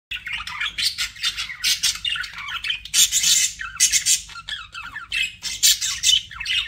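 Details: Pet budgerigars chattering in dense bursts of scratchy warbles and squawky chirps, high and busy, with short pauses between phrases.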